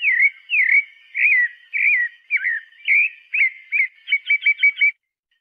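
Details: Pale-breasted thrush singing clear, slurred whistles that quicken toward the end into a fast burst of short repeated notes, then stop abruptly.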